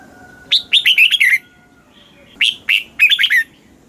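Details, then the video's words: Southern master-style song of a red-whiskered bulbul in Thailand, played to stir caged birds and instruct chicks; lively chirpy phrases of several rising then falling whistled notes, the second phrase broken into shorter bursts, over a faint steady tone. "เสียงนกกรงหัวจุก ร้อง ริก เปิดให้นกฟัง ยั่วให้นกคึกจัด"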